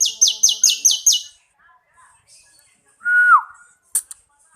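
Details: Bar-winged prinia song used as tutor material for training other songbirds: a quick run of six buzzy, scratchy high notes, then near-silence, a single clear whistle sliding downward and two sharp ticks.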